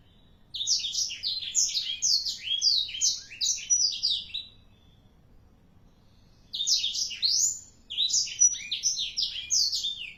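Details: Black-throated canary, four months old, kept as a cage bird, singing energetically: fast bursts of sweet, rapidly varied chirps and trills high in pitch, a long phrase of about three and a half seconds, a pause, then another outburst.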